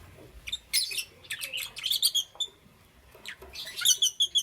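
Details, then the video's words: Green, yellow and lutino lovebirds chirping in the morning: rapid bursts of shrill, high squeaky chirps and twittering notes, pausing briefly before another fast run of sharp chirps. "Lovebird Chirping Sounds"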